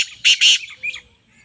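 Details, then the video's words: Female black francolin: two loud, harsh, rasping notes in quick succession, then a fainter trailing note. "titar ke Awaz | black Teetar | Awaz Madi Kali"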